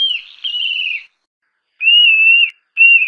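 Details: Song of the Montane nightjar (Caprimulgus poliocephalus): drawn-out shrill whistles, the first dipping then level, followed by a shorter steady whistle and a brief third note.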